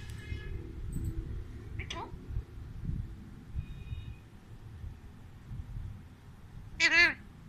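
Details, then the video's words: A pet talking Alexandrine parakeet gives a few scratchy, speech-like utterances, ending in a loud, harsh, meow-like squawk, with a person's voice and low room hum behind; Alexandrine parakeet. "Talking Alexandrine Parrot"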